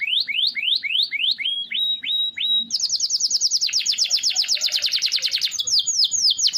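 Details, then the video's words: Canary delivering a long roll for tutoring other songbirds; slurred rising-falling whistles, a short run of flat notes, then a very fast, dense rolling trill lasting several seconds. "Suara Kenari Gacor Ngerol Panjang – Cocok Buat Masteran Harian!"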